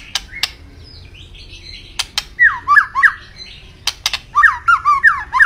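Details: White-rumped shama (murai batu) singing vigorously: sharp dry clicks and harsh chattering notes, then a rapid run of slurred, rising-falling whistled phrases repeated several times a second, ending in quick bursts.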